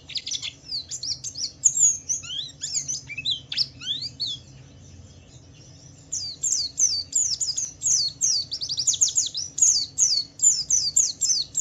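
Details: Javan white-eye song used as a lure to prompt other white-eyes to sing: fast, very high, thin twittering phrases of quick sliding notes, with a short pause midway before a longer unbroken run.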